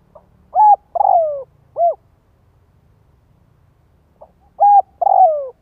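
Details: Spotted dove call for luring doves: a faint pip, a flat coo, a long sinking coo and a brief arched note. The pattern restarts after about three seconds of near silence.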